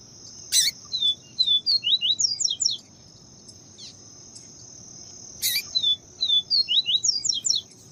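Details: Double-collared seedeater ("papa-capim viviti" song type) in a recording combining male song and female calls: a fast string of high, sweet whistled notes, repeated twice, over a steady insect-like hiss, with two sharp clicks.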